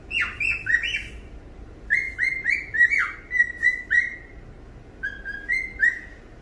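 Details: Cockatiel singing its heart out on a rainy morning, a caged pet bird delivering rapid runs of whistled, slightly bending notes in three phrases, each note a short swoop, with brief gaps between phrases.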